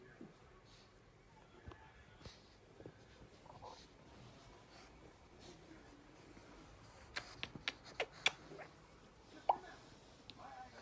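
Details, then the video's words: A pet Grey parrot that loves to kiss makes a handful of sharp, smacking kiss sounds, clustered in the last few seconds, over a quiet indoor background. "Поцелуйчики с Жако"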